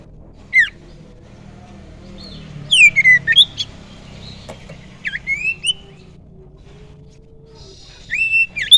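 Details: Young wild common iora used as a lure, giving scattered sweeping whistles, some falling and some rising, separated by quiet pauses.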